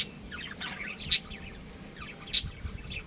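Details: Budgerigars, a breeding pair, chirping: scattered short high warbling chirps and squeaks, with two sharp loud clicking notes about a second apart over a faint low background hum.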